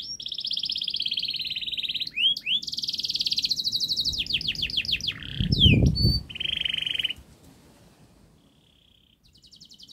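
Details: Canary model song, fast and tight, meant to get young canaries singing: buzzy trills and quick repeated slurs for about seven seconds, a brief low thump midway, then near silence with a faint trill.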